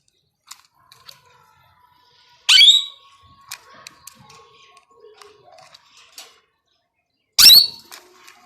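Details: A tame two-year-old male pet plum-headed parakeet, a talking bird that says Urdu/Hindi words and whistles, gives two loud, shrill, harsh squawks about five seconds apart amid faint clicks, soft chirps and household noise.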